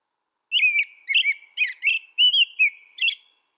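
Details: American robin singing a continuous string of six or seven rich whistled phrases, each slurring up and down, with faint high squeaky notes above; no other sounds.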